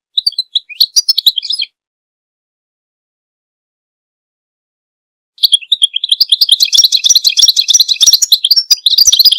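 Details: Goldfinch singing: a short burst of tinkling, high chirps, a pause of several seconds, then a long continuous stream of liquid twitters and fine buzzy trills.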